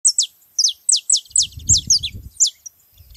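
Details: Free-living saffron finches gathered in a lively group, giving high, sharp descending chirps repeated in quick bursts, several birds overlapping, with faint low rumbling in the background.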